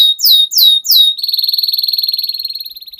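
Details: Canary master song used to prompt young canaries to sing sooner: three loud, downslurred whistled notes about a third of a second apart, then a rapid, even trill of many notes that slowly fades out.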